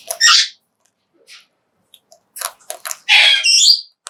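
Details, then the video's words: Harsh, rasping cries from a Major Mitchell's cockatoo while it eats high-protein food: one short screech, quiet clicks and rustles, then a longer drawn-out squawk near the end. "메이저 미첼 코카투의 먹방!"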